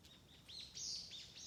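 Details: Spring birdsong from wild birds on a Tanzawa forest road: quick high-pitched chirps and short downward-curving notes run together in a busy, twittering phrase, with faint background hiss.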